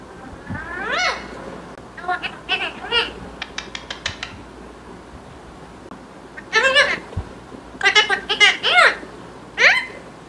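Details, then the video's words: Pet green parrot makes a quick run of dry clicks, then a cluster of several wavering harmonic calls and a final sharp note, with soft indoor background. "Parrot Talking"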